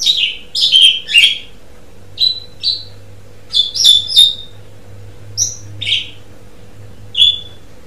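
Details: Jalak Suren (Asian pied starling) uttering scattered short whistles and chirps in small clusters with pauses between, over a faint steady low hum.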